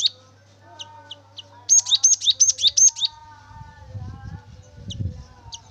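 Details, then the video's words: Javan munia song used as a lure to make birds sing: a few isolated high chips, then a fast run of about eight bright, sharply rising whistled notes, followed by low rumbling handling noise. "Gelatik batu gacor rekomendasi Pancingan Gelatik batu agar bunyi"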